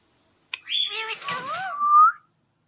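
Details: Green Indian ringneck parakeet, a pet talking parrot, gives one short speech-like phrase: a high whistled onset sliding into gliding, warbled tones that end in a rising whistle, in a quiet room.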